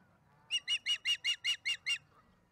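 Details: Bringing a fish to the nest in Charlo on April 26, 2019, 1:50pm MDT, an osprey gives eight evenly spaced, piercing whistled chirps within a second and a half.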